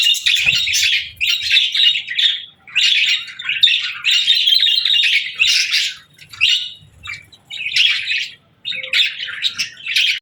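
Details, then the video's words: Budgerigar chirping in clear separate phrases of buzzy, warbled twittering, each lasting about a second, with short silent gaps between them. "Parakeets Chirping for Lonely Birds | Relaxing & Happy Budgie Sounds"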